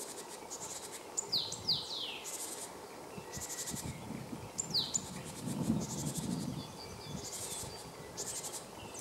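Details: March 2015 recording of a male Great Tit near Jarun, Zagreb, Croatia: short clusters of thin, high, falling notes with gaps between them, against a soft hiss and low rumble.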